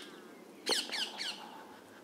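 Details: A flock of about 10–12 parrots feeding noisily on unripe pears in a pear tree near Norwood Grove, south London, gives three harsh, squawky, buzzy downward-sweeping screeches in quick succession over a faint hiss.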